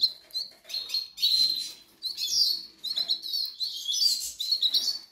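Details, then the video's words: Canary Islands goldfinch nestlings crying for food: overlapping high, shrill chirps in quick excited bursts, near-continuous, with faint rustling beneath. "LOS PICHONES TIENEN HAMBRE"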